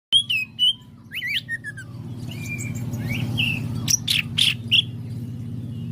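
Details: Greater green leafbird singing during a bird-keepers' practice session: sharp whistled chirps and slurred notes, some rising, with buzzy bursts later, over a steady low hum.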